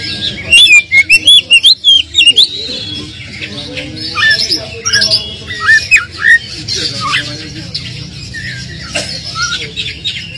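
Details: Kacer (Oriental magpie-robin) provoking song: a loud burst of quick high whistled notes at the start, then softer scattered squeaky calls and slurred notes over a faint background.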